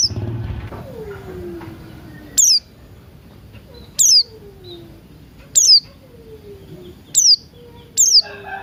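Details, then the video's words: Buxton's white-eye singing in the morning alongside cucak rante, a lure to make birds open their beaks and sing: five shrill descending notes repeated roughly every one and a half seconds, with fainter lower sliding whistles between. "Pleci Buxtoni Ngalas Pagi Hari"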